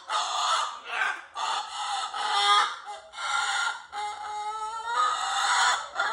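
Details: Pet cockatoo producing its mock roar as a near-continuous stream of gravelly, nasal squawks that rise and fall in loudness with only brief gaps.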